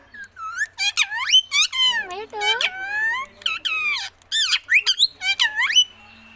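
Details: Parrot giving a long sequence of swooping whistles and squeaky, speech-like notes in quick phrases, rising and falling sharply, indoors with little other sound.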